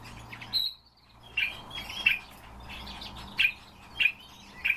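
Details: Common starling kept indoors: a thin high whistle, a short pause, then loud sharp clicks repeated about once a second with faint chatter between.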